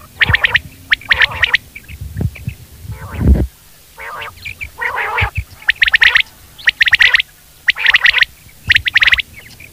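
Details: Quail uttering a run of loud, raspy bursts about once a second, with low thuds and handling noise in the background.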